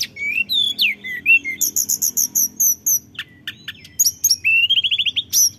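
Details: Lure bird, a male orange-headed thrush, gives sweet slurred whistles, a row of high repeated chips, then a quick rising series of rolled notes.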